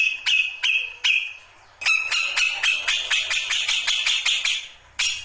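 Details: Grey-cheeked bulbul, locally cucak jenggot, newly singing ngombyok style: three spaced rasping notes, then a loud unbroken series of fast, scratchy repeated chatters, ending with one more harsh note.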